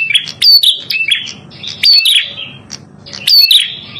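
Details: Three strong bursts of piercing chirps and sliding whistles from a red-headed prinia, a lure sound for trapping, with quieter twitter between and a faint low hum.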